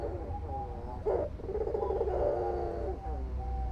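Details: Albino Barbary dove with white plumage, giving a brief burst of mellow, harmonic cooing with one sharp accented note near the start, over a low droning hum.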